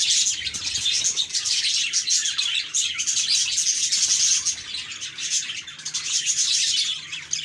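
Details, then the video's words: Several cheerful budgies chattering at once, a busy mix of sharp high chirps and rapid warbling notes that swells and dips slightly but never stops. "Budgies Chirping"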